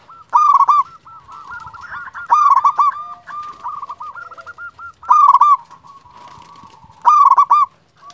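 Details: Local champion zebra dove, a frequent singer, calling; used to lure and stir other doves. Loud rhythmic cooing bursts with harsh overtones recur about every two seconds over a soft looping background of repeated coos from other doves.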